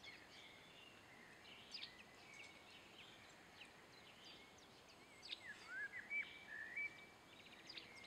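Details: A pair of hawfinches (Coccothraustes coccothraustes) giving short, sharp high ticks at an irregular pace, with a few louder sliding notes near the end, over a steady background hiss.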